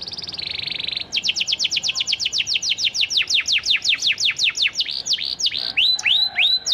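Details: Canary of the Panda type singing to provoke other canaries to respond: a held buzzy note gives way to a long, rapid trill of downslurred notes that slows into rising whistles at the end.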